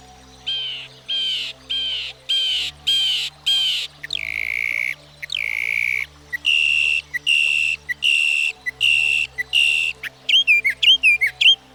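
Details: Northern Mockingbird, able to learn up to 200 different sounds, delivering a long run of varied phrases: repeated rich buzzy notes, a falling sweep, a steady rhythmic series, then rapid looping whistles; soft music hums beneath.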